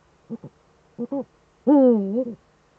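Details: Male Eurasian eagle-owl at the nest calling with its mate, Eifel, Germany, 7 April 2013, evening; two pairs of short low hoots, then a loud, long, hoarse call that dips and rises.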